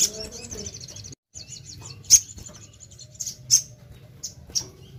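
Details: Crimson sunbird singing freely: a rapid run of thin, high twittering notes, then a brief gap and scattered piercing chips spaced about a second apart.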